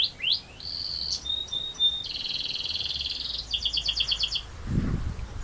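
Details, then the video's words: Canary singing actively in a long rolling song: short upswept notes give way to sustained high tones and rapid buzzing rolls, then a clipped pulsed trill. A low thump sounds near the end. "Burung Kenari Gacor Ngerol Panjang"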